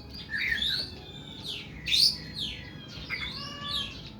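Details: Long, harsh 'nembak' singing from an oriental magpie-robin (kacer): rising and falling slurred whistles and sweeping notes, loud upward swoops, fairly continuous phrasing.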